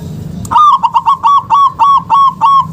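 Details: Zebra dove of local stock, recorded as a lure to get lazy doves calling: after a brief low hum, a steady run of about eight rounded, slightly rising cooing notes in even rhythm.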